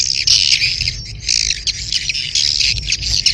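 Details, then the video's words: Breeding-season swiftlet chatter: nonstop high buzzy twittering with squeaky whistles, pulsing in louder waves, a faint hum beneath. "SUARA WALET BirahiBeranak | the sound of swallow lust"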